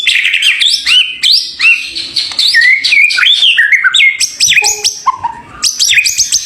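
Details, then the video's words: White-rumped shama, a champion bird, singing a loud, varied song of clear whistled notes, rising and falling slurs and quick upward sweeps, phrases following each other almost without pause. "BURUNG MURAI BATU JAWARA MEWAH"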